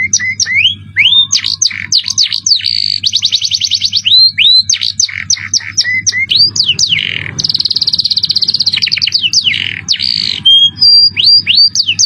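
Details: Canary in 'cengkok mewah' song style delivering a long varied phrase: looping rising whistles, dense buzzing rolls, rapid clicking trills and sharp downward slurs, continuous and loud, with a low background hum.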